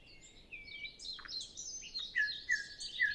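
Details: Nightingale singing in early morning before sunrise on a windless morning, other birds not yet singing, recorded on a Zoom F6 with Sennheiser MKH 8040: varied high whistled and trilled phrases, ending in three clear repeated whistled notes about half a second apart.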